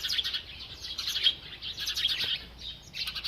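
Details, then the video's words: Village sparrows playing and bathing, with unedited natural sound: a steady stream of rapid, high-pitched chirps and tweets, about one burst each second, rising and falling in loudness. "sparrow chirping sound"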